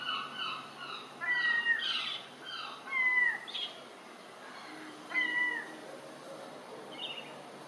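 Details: Herring gulls on 8 July 2018 give nasal, cat-like mewing calls, some sliding downward, with several birds overlapping over a steady background hiss.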